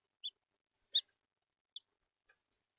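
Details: A red house finch in central Florida gives four short, high chirps spaced irregularly over about three seconds, the second loudest; nothing else is heard.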